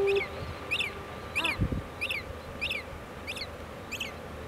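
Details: Common murre while feeding: seven short, high, slightly rasping calls, each rising then falling, repeated about every two-thirds of a second over a low rumble of wind or surf.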